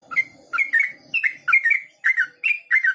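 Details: Yellow-vented bulbul, named as a male, singing the fast 'ropel' style: bubbly, slurred mid-pitched notes in quick paired bursts, about three per second.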